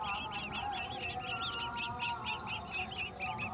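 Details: At the nest, a golden oriole brings a mantis to its young; sharp, evenly spaced high chirps come about four per second, each a quick rising-falling note, with a faint steady hum beneath.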